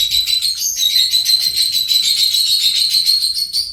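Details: Continuous, fast, buzzy trilling chatter from a pet lovebird, steady and high-pitched for nearly four seconds without a break.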